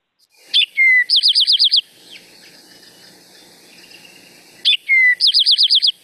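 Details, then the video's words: Eastern Towhee singing its drink-your-tea song twice: two sharp opening notes, then a fast musical trill, repeated about four seconds apart. "actually for this most people remember this song is drink your tea so drink your tea to"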